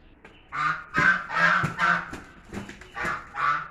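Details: Fighting Chinese geese give repeated coarse, nasal honks in an uneven series, some overlapping, with rustling and thumps in the background.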